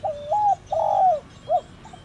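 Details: Close spotted dove coo phrase, thổ đồng calling style meant to stir a decoy: a level note rising to a held tone, a long full falling coo, then a short clipped final note.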